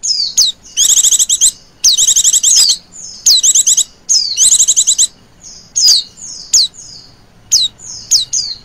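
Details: Female Oriental white-eye call used as a lure, in the trilling ngecir style: high, bright chirps and rapid buzzy trills in quick bursts, some long rattling runs, repeated with short pauses throughout.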